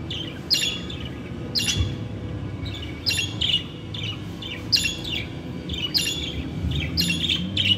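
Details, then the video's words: Budgerigar calls kept as pets: sharp high chirps repeated roughly every second, some in quick doubles, above a low steady room hum. "KONUŞAN MUHABBET KUŞLARI ÖTME SESİ"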